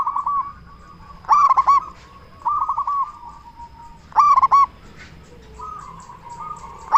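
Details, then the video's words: Zebra dove calling loudly to draw replies from other zebra doves: emphatic bursts of fast, bubbling coos roughly every three seconds, softer cooing runs filling the gaps. "Perkutut Lokal Gacor SUARA BESAR Ahlinya Bikin Semua Burung Perkutut Langsung Nyaut"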